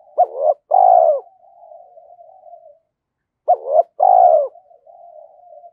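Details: Decoy spotted dove: two low cooing phrases about three seconds apart, each a quick doubled note then a long mellow falling coo, trailed by soft murmuring notes.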